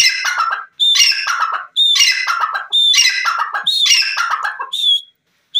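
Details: Francolin (teetar) giving a loud rhythmic call repeated about once per second. Each phrase opens with a short clear whistled note, then breaks into a harsh, rasping burst. About five phrases, with a final whistled note after a short gap.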